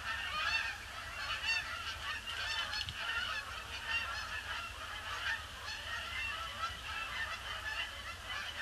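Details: Huge influx of Canada geese circling a pond before landing, grey December 26th; loud clear honks repeat rapidly through a busy overlapping chorus, with many distinct nasal calls.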